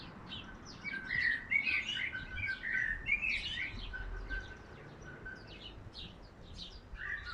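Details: Garden bird concert in spring: a small bird sings from a leafless forsythia as others join in from hedges, trees and gutters. Rapid overlapping chirps and twittering, with brighter whistled notes early on, then a thinner chatter.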